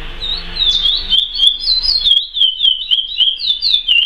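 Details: Curió, or chestnut-bellied seed finch, giving a praia-style song: a fast, continuous run of warbled whistles wavering up and down, about three or four notes a second, over faint low rumble at the start.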